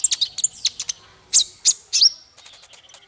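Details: Bird song used as a master recording to train small fighter birds: rapid, very high, thin chirps and sharp whistled notes in quick bursts, then softer trailing twitters.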